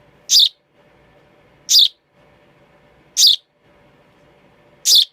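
A young sparrow gives four sharp, high chirps, spaced about one and a half seconds apart, over a faint low hum.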